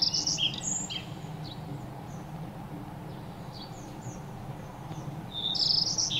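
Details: Playful birds chirping during bathing and feeding: bright chirps open and close the stretch, with only faint scattered notes between, over a steady low background noise.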